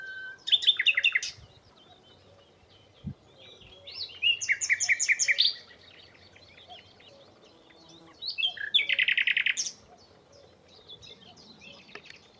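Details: Unseen nightingale, resident for a few weeks, singing from nearby bushes: three loud bursts of rapid, rattling repeated notes, each lasting about a second, separated by pauses with soft faint chirps, one brief thump between.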